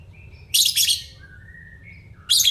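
Lovebird chatter: two bursts of harsh, shrill screeching chirps with thin, high whistled notes between them, in a quiet room.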